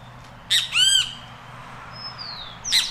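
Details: A great kiskadee in Costa Rica, calling while feeding, gives harsh buzzy squawks: a brief raspy burst, then a ringing nasal note, followed by a thin falling whistle and another rasp.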